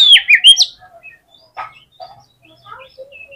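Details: Oriental magpie-robin (kacer) fighting song, used to provoke rival magpie-robins into aggression; opens with a loud, swooping whistled phrase of rising and falling notes, followed by quieter scattered chirps and short notes.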